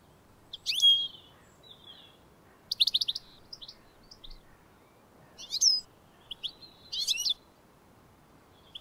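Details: A wild European goldfinch in the UK, feeding on a teasel head, gives bright, tinkling twittered calls in short bursts of quick, high notes, with pauses between groups and a soft background hiss.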